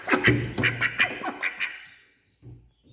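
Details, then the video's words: Ducks, male and female, eating together and startled by the person feeding them; a quick burst of about eight loud nasal quacks in under two seconds, then near silence with a faint low call at the end. "Duck Sounds ||Quacking Sounds Of Ducks||"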